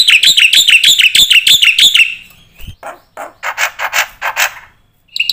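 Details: Energetic black-winged starling with full filler song for training other birds: two seconds of rapid warbled chip notes, then scattered harsher bursts and a brief final note.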